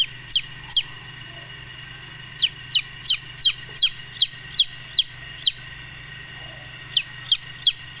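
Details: Brooding Golden Misri chicks peep in shrill downward-sliding notes. The peeps come in quick runs of several, with a pause of more than a second in between, over a low steady hum.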